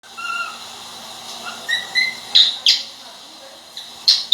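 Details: Pet cockatiel giving short whistled notes, some rising, then sharper chirps repeated at irregular intervals, against a quiet indoor background.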